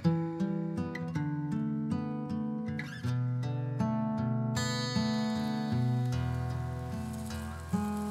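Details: Plucked acoustic guitar music with steady strummed chords and a low bass line throughout, with no animal sounds.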